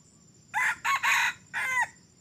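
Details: Young red junglefowl rooster, crowing for just three weeks and used as a decoy bird in junglefowl trapping, gives a short clipped crow: four harsh, hoarse syllables, the third longest, the last drawn out, over a quiet insect hum.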